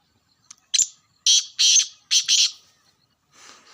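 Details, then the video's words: Black francolin, known locally as kala teetar, calling in Sindh, Pakistan: a run of five harsh, grating bursts, the first two short and the last three longer and paired, over a quiet background. "Kala Teeter sindh Pakistan"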